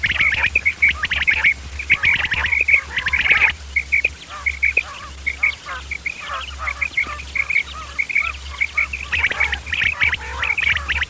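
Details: Common quail, males and females, calls used as a hunting lure: a busy chorus of overlapping sharp chirps and repeated short notes, roughly one or two per second, with a dull low hum throughout.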